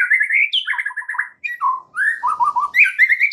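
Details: White-rumped shama song, a lure meant to make a shama sing its full repertoire: continuous loud, varied whistled phrases rising and falling, with warbled runs and brief pauses.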